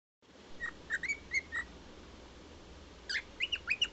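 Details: Cockatiel (Nymphicus hollandicus), song.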